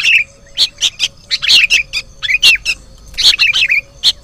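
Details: Sooty-headed bulbul chicks in a combined recording used to lure birds, giving separate short squeaky notes, some with quick downward twists, spaced irregularly about once a second over a faint low hum.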